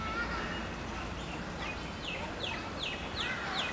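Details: Asian koel calling: a fast series of short, high notes, each sliding downward, repeated roughly every third of a second and building through the clip, over a steady hissing background with one faint whistle near the start.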